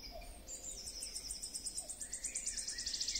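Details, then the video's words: Wood warbler singing: a run of ticking notes speeds up into a loud, high, shivering trill lasting about two seconds. Fainter calls from other birds sound underneath. "Świstunka leśna . Śpiew."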